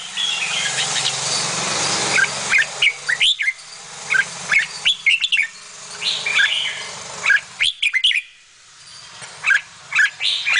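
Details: Bulbul feeding young; scattered high chirps and upslurred whistles over a steady low background hum, calls spaced irregularly with a short quiet gap near the middle.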